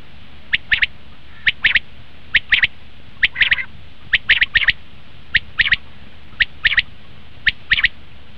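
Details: Common quail call played to attract quail for hunting: regular three-note phrases, each note sharp and short, repeated about once a second throughout.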